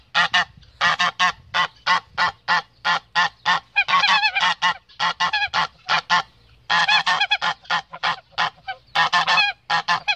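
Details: Steady, repeated nasal honks from a male goose defending his mate, roughly two or three per second, with one tighter stuttering cluster midway and a short pause later.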